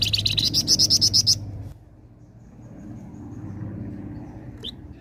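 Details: Vigorously singing flamboyan, used to draw in other birds: a quick series of roughly ten high, ringing, buzzy notes for over a second, stopping sharply, then near quiet with one faint chirp and low hum.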